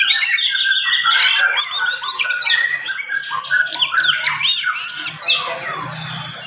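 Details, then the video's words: Oriental magpie-robin singing energetically in the morning at a fast, tight pace meant to fire up other magpie-robins: loud chattering cascades of rising and falling whistled notes, almost without pause. "SUARA KACER GACOR DIPAGI HARI SPEED RAPAT cocok untuk naikin emosi kacer yang dengar"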